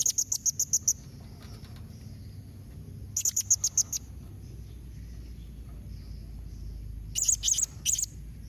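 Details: Blue-crowned hanging parrot calling, a calling and 'nembak' combination used to get other kept birds to answer: three bursts of rapid, very high, thin chirps, about eight notes each, separated by quiet gaps over a low background hum.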